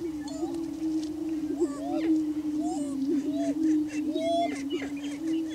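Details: On a Washington County, Kansas lek, Greater prairie chickens display for breeding territory. A continuous low droning hoot runs throughout, with many short rising-and-falling whoops and cackles from several birds scattered above it.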